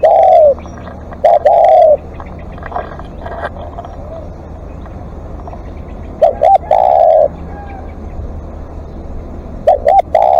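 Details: Live decoy spotted dove calling at length: three phrases, each made of short hooked coos and a long smooth coo, separated by pauses. Low background rumble and faint distant sounds fill the gaps.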